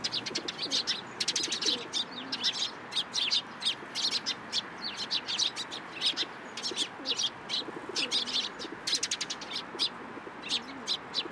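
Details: Sparrows feeding from a person's hand at a Tenmangu shrine on 14 April 2023: near-continuous busy chirping, many short high notes from several birds overlapping throughout.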